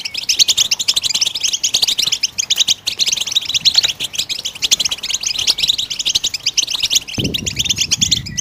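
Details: Goldfinch song used to get other birds singing, a dense continuous twittering of high rapid notes and trills, with a low rumbling noise entering in the last second.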